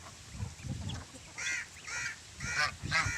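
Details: Geese kept with chicks give four clear nasal honks in the second half, each a short harmonic blare repeated about every half second, after a quieter stretch of low thumps and rustling.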